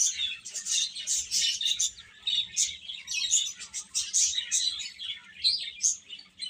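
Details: Many chicks peep together in a steady, busy chorus of high, thin chirps that rise and fall in loudness in waves.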